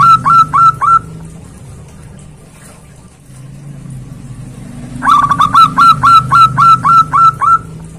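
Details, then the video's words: Zebra dove calling a rival with loud force: a brief burst of bright hooked notes, a quiet gap with low rumbling background noise, then a long, evenly spaced run of ringing notes about four per second. "Suara perkutut keras manggil lawan"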